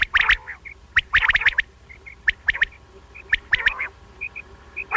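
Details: Quail heard in a recording for morning and night hunting: dense clusters of harsh, grating notes mixed with sharp clicks, and faint high chirps between the clusters.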